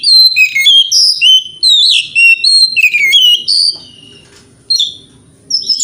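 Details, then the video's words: Morning song of a white-rumped shama, used to provoke rival birds to reply: fast, loud whistled phrases of rising and falling notes, then a pause and brief further notes. "Pancingan Kacer Gacor Pagi Hari Bikin Lawan AUTO NYAUT!!! Ikut Emosi"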